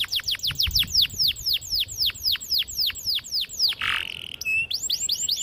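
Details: Canary song meant to stimulate young canaries to sing: a long run of repeated downward-sweeping whistled notes, about four per second, broken by a brief harsh burst and a steady tone before the sweeps resume.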